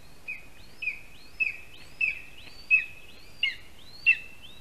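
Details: Lesser spotted eagle chick in a spruce nest in Latvia, fed by its father in the morning of 12 July 2021: seven sharp high notes, each with a faint upward slur, repeated irregularly over a continuous thin whistling tone.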